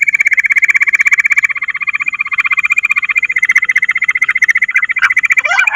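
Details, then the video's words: Bush quail call played as a lure: a long, even, rapidly pulsed trill holding one pitch, with a brief rising whistle near the end. "Bater ki awaaz madi gundari quilling sound bush Quil sound"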